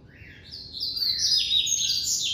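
White-collared seedeater singing a fast, high, twittering song of run-together chirps and trills that grows louder toward the end, over a quiet background.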